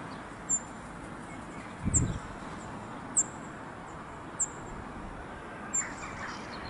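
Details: Cirl bunting calling at the Château de Saumur, France, on a somewhat windy day: five thin, very high, clipped notes spaced about a second apart over quiet background hiss, with one brief low thump.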